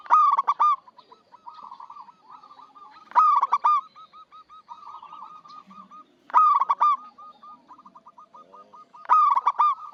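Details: Loud, stuttering coo phrases from a local zebra dove recur roughly every three seconds, kept for luring wild birds to traps. Between them run quieter trilled coos of more doves.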